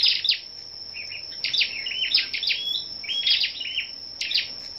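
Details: Gathered Scarlet-backed flowerpeckers sing competitively one morning, 10 May, giving dense high sharp chirps and short rising and falling twitters in quick bunches. An unbroken high whine sounds behind them.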